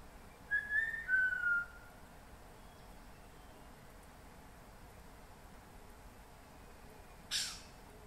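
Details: MacGregor's bowerbird (Amblyornis macgregoriae) singing in rainforest in Papua New Guinea gives one brief, slurred whistled phrase that drops slightly in pitch, then goes quiet; a single sharp crack follows.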